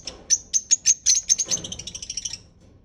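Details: Parrot giving a quick series of high, squeaky whistled notes, about a dozen in two seconds, fading toward the end.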